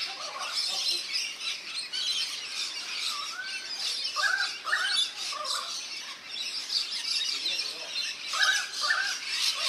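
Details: Bathing rainbow lorikeets in a backyard birdbath, NSW, Australia: a busy layer of shrill chatter with scattered short whistled and chirped notes, swelling louder toward the end.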